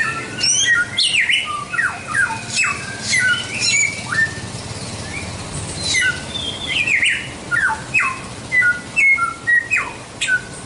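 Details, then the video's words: Samyong, or white-rumped shama, giving busy chattering song of short whistles, chips and quick slurred notes, sometimes bunched in rapid bursts, over a faint steady background hiss. "Masteran Suara Samyong"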